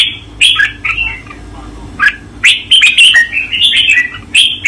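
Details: Red-whiskered bulbul kept as a cage bird, master training song from 2024: a bright chirpy phrase, a pause, then a run of quick fluty whistles and warbles linked together.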